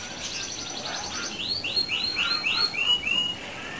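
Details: Canary song meant to provoke other canaries into singing: fast buzzy rolled trill, then a run of about seven clear rising-falling whistled notes repeated several times a second, with a faint background hiss.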